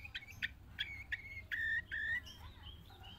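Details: A trained Long-tailed shrike (cendet), sitting inside its cage and then released from it, keeps singing nonstop: a quick, varied run of short chirps and clear whistled notes, some held and slightly rising, over a low steady hum.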